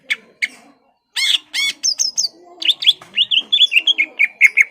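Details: Greater green leafbird singing hard to goad a rival into a fight: a few sharp chips, two loud harmonic squawks, then a quick chain of bright whistled notes descending in a rippling series.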